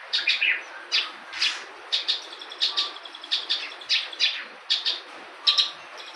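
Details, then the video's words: Local lark giving repeated short bursts of high, sharp chirps in clusters, several each second, over a steady background hiss. "Branjangan lokal full materi"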